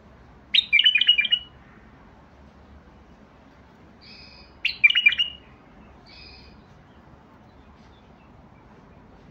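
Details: Two lively chortling phrases from a Basra bulbul, separated by about four seconds with soft paired whistles in the gap, over low background noise.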